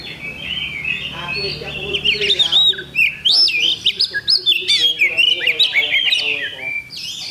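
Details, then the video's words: Oriental magpie-robin (kacer) in a songbird contest round held Thursday, 8 October 2020. Loud, varied whistled phrases with rising and falling sweeps and rapid chattering notes, quickening in the second half. A low hum sits underneath. "Kacer Bagong Ngunci Mulai Semi"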